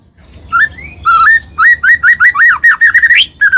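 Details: White-rumped shama song of the Medan type, played to provoke other shamas to sing: clear whistled notes, then a quick string of loud, repeated rising and falling phrases.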